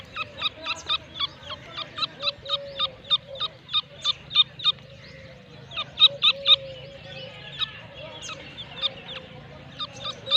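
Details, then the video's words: Irani teetar (grey francolin), a breed called 2nb, from Pakistan: a fast run of sharp, harsh, clipped notes, several per second, in bursts with short pauses, over a steady low hum. "Irani Teetar ki (2nb) breed in one Pakistani video"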